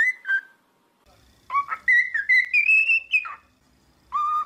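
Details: Domestic cockatiel singing a whistled run: a few falling notes, a pause, then a series of notes climbing gradually in pitch before dropping to a lower held whistle.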